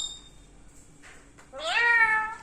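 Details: Parrot vocalising in a kitchen: faint high tones and a breathy sound, then a loud rising harmonic note that levels off and fades.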